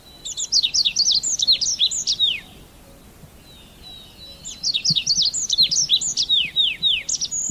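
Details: Red avadavat giving two bursts of high, thin, downward-slurred squeaky notes in quick succession, each phrase about two seconds long with a pause between them, over faint low background hum.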